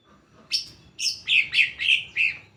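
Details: Lure recording of a greater green leafbird to make others sing: a rapid run of six sharp, descending, slightly buzzy chirps following a faint lower note.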